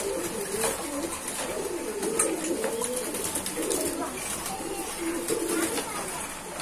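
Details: Kept pigeons in a loft, several birds cooing at once: low, rolling, throaty coos that overlap and repeat throughout, with faint human voices and scattered clicks in the background.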